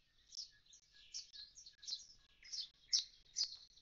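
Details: After the chicks have fledged, a common starling lingers by its empty nest box, giving quick high chirps and squeaky notes, about two per second, some with sharp clicking onsets, over quiet background.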